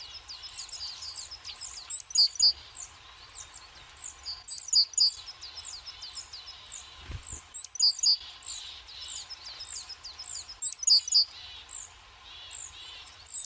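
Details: Winter tits busy at a forest feeder with sunflower seeds. Fast strings of thin, high chirps are broken every few seconds by a loud, piercing double note, and one low thump sounds.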